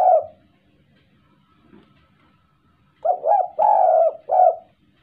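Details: Spotted dove cooing while courting: a single short coo, a pause, then a quick run of three or four mellow, rounded cooing notes, the longest in the middle, in a quiet indoor setting.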